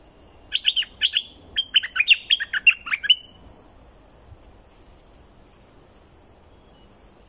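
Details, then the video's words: Streak-eared bulbul from southern Thailand singing actively: a run of short, bubbly, chirped notes packed into the first three seconds, followed by quiet with only faint background hiss. "เสียงนกดอกแตงภาคใต้Ep2.Burung merbah lekir bay hoach thom gacor bahanan"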